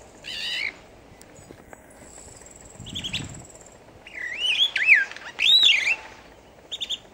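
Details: Captive superb starling at Newquay Zoo, 2014, singing loudly: a burst of harsh chatter, then long varied phrases of looping, wavering whistles rising and falling in pitch, mixed with buzzy notes and a high thin tone, over a faint low rumble.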